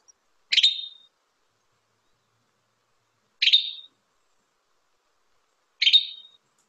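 A Western Tanager gives three short, dry, chattery 'pri-tick' calls, spaced a few seconds apart, with silence between.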